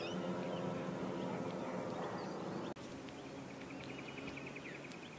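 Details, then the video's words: Pied oystercatcher chicks about three weeks old at Djeebahn (Port Hacking), by mangroves and a beach at high tide, give a rapid series of high piping notes, about four a second, after low rumbling engine-like noise. "Pied Oystercatcher chicks now 3 weeks old"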